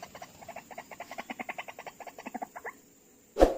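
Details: Trapping session luring White-breasted waterhens with playback, two birds responding within seconds: a quick run of stuttering chuckling notes that speeds up and fades, followed by a sharp loud thump.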